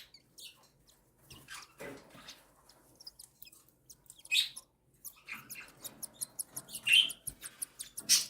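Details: Cockatiel chicks aged one and seven days begging during feeding by their mother, faint hissy squeaks early, then a quickening run of clicking peeps and sharp raspy cries.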